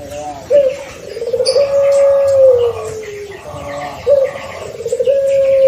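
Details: Young pelung Barbary dove, six months old and early-paired to encourage its voice, sings two extended coos, each opening with a brief upward note before a long smooth tone that sinks gently at the end.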